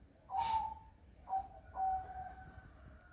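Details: On a misty morning, a zebra dove gives soft, level cooing notes: a strong first coo with a brief rough burst, a short middle note, then a long sustained coo. The background is quiet and low.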